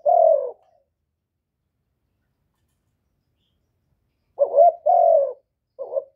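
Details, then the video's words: Spotted dove from Cà Mau giving calls to provoke rival birds; the tail of one long coo, a silent stretch of about four seconds, then a full phrase of short coos and a longer coo, ending in clipped notes. "Tiếng chim cu gáy kích bổi giọng hạp bổi"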